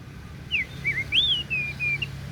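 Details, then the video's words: Daput oriental magpie-robin giving clear, sweet whistled notes: a falling slur, a wavering dip, then a higher looping whistle followed by two level drawn-out tones, with a soft low background hum. "KICAUAN KACER DAPUT MEMPESONA"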